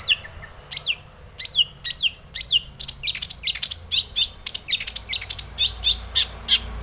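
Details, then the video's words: Long-tailed shrike in varied song, meant to provoke other shrikes to sing: clear high whistles sliding downward, repeated about twice a second, then a rapid stream of sharp high notes and chips. "SUARA cendet gacor full isian pancingan cendet agar bunyi"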